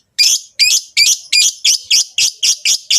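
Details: Mating calls of rosy-faced and Fischer's lovebirds, used to encourage the female to breed: ten loud, shrill, rasping chirps repeated steadily, about two or three per second, each with a quick harsh falling tail.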